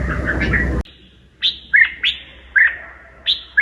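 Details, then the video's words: Red-whiskered bulbul with a strongly twisting voice: a burst of rough noise, then short, clear, high whistled phrases that slide down, about five in three seconds with brief gaps between. "kích bổi giọng cực xoắn"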